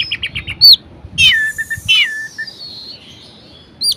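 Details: Varied song of a caged orange-headed thrush used to spur idle birds to sing: a fast stuttered run of notes, then loud downslurred whistles, trailing off before a final rising note.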